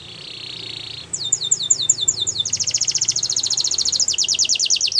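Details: Flute singing of a Russian canary: a steady high whistled tone fades into a loud run of sharply descending notes, then a quicker, continuous high trill to the end.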